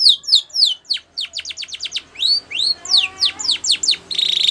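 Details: Training song of a white Spanish Timbrado canary: quick falling chirps repeated about three per second, some upswept notes, and a dense buzzy trill at the close.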